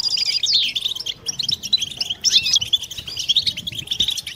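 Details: Several European goldfinches in joint batbata, a mating song meant to stimulate singing and females; clear, high, ringing chirps and quick descending twitters come in bursts with short gaps between them.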